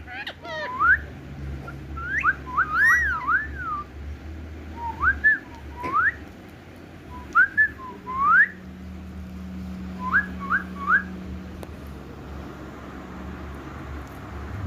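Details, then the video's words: Indian ringneck parakeet, a talking pet bird, giving short looping whistled notes in twos and threes with pauses between, in a small room with a low hum behind. "Parrot Calling Mithu Mithu"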